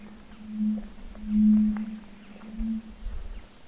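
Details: Red-ruffed fruitcrows, two males at a courtship lek in Misiones rainforest, Yabotí Biosphere, Argentina: very deep, humming booms, three drawn-out low notes swelling and fading over a quiet forest background.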